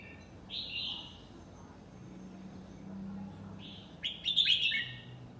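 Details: Singing in the 'lak wai' style, a nine-month-old red-whiskered bulbul gives a short whistled note, then after a pause a richer warbled phrase of quick rising and falling notes. A low hum runs underneath.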